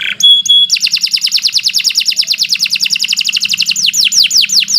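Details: Canary singing in a lure recording for training birds: a few pure high whistles, then a long rapid trill of chopped repeated notes, ending in descending sweeps, with a soft low hum.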